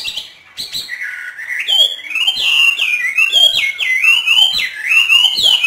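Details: Northern Vietnamese trained hwamei in free song: rising whistled phrases, then rich loud warbling notes repeated in quick irregular bursts, high and ringing.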